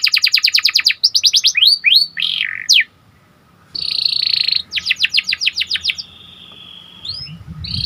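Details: Panda canary in song, meant to excite other canaries: rapid trills and sweeping whistled slurs, a short silent pause, then more trills and a long steady buzzy note, with low rumbling noise near the end.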